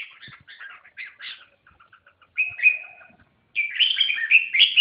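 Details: A red-whiskered bulbul opens with a run of soft chattering notes, then delivers a clear whistle and a long, loud, bubbling warbled phrase.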